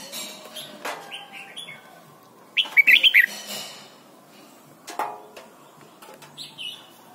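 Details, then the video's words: Red-whiskered bulbul from Thailand, a recording for training young birds to sing: one loud burst of quick warbled, whistled notes midway, with fainter chirps and clicks before and after. "นกปรอดหัวจุก Thailand Bird: เสียงดีมาก (สอนลูกไก่) เต็ม - ฝึกร้องเพลง"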